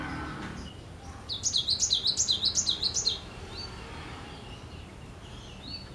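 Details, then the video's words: A cinereous tit, singing in full voice, pours out about fourteen quick, high, repeated zigzag notes in under two seconds, with softer scattered chirps before and after. "Suara Merdu Gelatik Batu Gacor"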